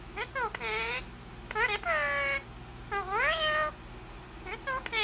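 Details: Indian ringneck parakeet talking: about four short mimicked word-like phrases in a high, nasal voice rich in overtones, some rising then falling, spread over five seconds with a steady low hum behind.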